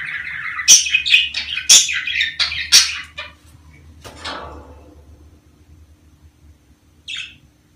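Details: Budgerigar voice from the mating season, meant to prompt breeding: about three seconds of rapid squawky, chirping warble, then a fading rasp and near silence broken by one short chirp near the end.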